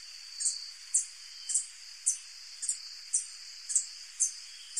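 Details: Hummingbird song of the white-tipped sicklebill: sharp, high-pitched chipping notes about every half second, steady throughout, with a constant shrill background drone.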